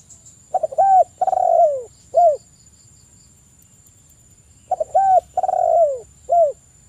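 A Spotted dove gives a soft, low cooing phrase: quick stuttered notes, a drawn-out croo, then a final coo. The phrase repeats after about three seconds over a faint steady high hiss.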